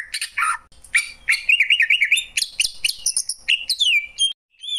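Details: Greater green leafbird (cucak ijo) singing a varied, rapid song: harsh chattering bursts, quick trills and wavering whistled phrases, with a brief pause near the end before a last whistled note.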